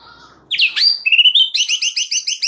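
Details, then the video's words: White-rumped shama, a single bird, singing an excited varied song: a quick rising sweep and a sustained whistled note, then a rapid run of repeated bright chirps at about five per second. "Audio Gacor MURAI BATU Extra Rewel Cukup 1 Burung"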